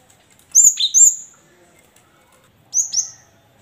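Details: Cinereous tit song used to coax silent caged tits into singing: two pairs of high whistled notes, each a sharp upper note dropping to a lower one, separated by a short pause. The background is quiet.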